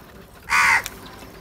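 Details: One short, loud, harsh crow caw standing out against a quiet background.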